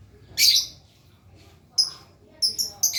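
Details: Lovebird learning its long ngekek trill: one loud, harsh burst, a pause, then a quick run of thin, high, whistled chirps closing in rapid succession.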